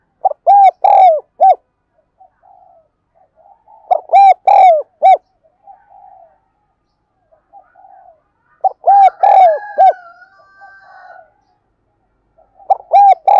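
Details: Spotted dove coo used to train wild-caught birds and lure them: four phrases of hollow arched coos roughly every four seconds, softer short coos in between, and a thin descending whistle after the third phrase.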